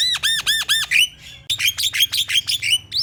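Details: Black-winged myna lure song for a caged myna: four quick arched whistles, a brief pause, then a rapid series of harsh, squawky notes with rising inflections.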